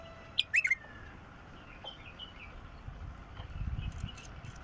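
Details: Short phrase of a wild bulbul: one sharp whistle then three rapid gurgling notes, followed by scattered faint chirps of other small birds and some low rumble.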